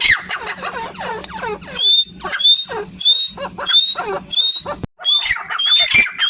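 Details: Partridge giving a rapid series of descending, buzzy notes, then clear rising whistled notes repeated about every half second, ending in a harsher burst of squawks.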